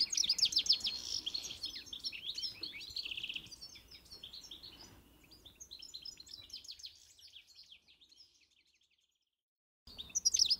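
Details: European goldfinch giving dense high twittering and a buzzy trill for about five seconds, then the song softens and fades into near silence before a brief burst of chirps at the end.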